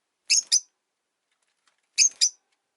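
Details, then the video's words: Rosy-faced lovebirds, three kept together in one cage by a window, the original bird resenting a newcomer: two pairs of sharp, high chirps about one and a half seconds apart, with silence between. "Lovebird Chirping Sounds"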